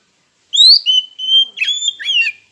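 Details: Oriental magpie-robin singing as a lure meant to stir rivals into song: one quick phrase opening with a rising whistle, then level whistles and scratchy, slurred notes toward the end.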